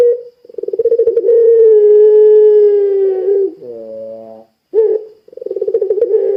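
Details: A spotted dove of the puter pelung kind calls to set off other doves: a rapid pulsed trill swells into a long sustained coo, drops into a lower rough coo, then a sharp note and a new pulsing trill.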